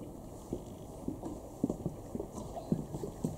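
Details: Great cormorants (Phalacrocorax carbo) at Flückigersee, Freiburg, in November 2016 give short, low guttural grunts and croaks at an irregular pace, about two a second, over a steady background hum.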